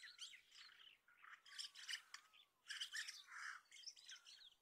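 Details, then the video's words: A common starling (Sturnus vulgaris) gives a jumbled medley of squeaky chatter, clicks, rattles and thin sliding whistles in bursts lasting about a second each. "ホシムクドリ鳴き声 / Common Starling"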